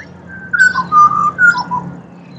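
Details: Pied butcherbird (Cracticus nigrogularis) singing in Australia: clear, flute-like whistled notes, a sustained pure tone followed by shorter lower slurred phrases, with a faint steady low hum underneath.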